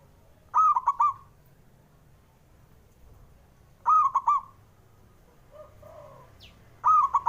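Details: Male zebra dove calling, used to stimulate doves that are slow to sing: a bright, quavering three-part coo phrase repeated about every three seconds, with fainter lower coos in between.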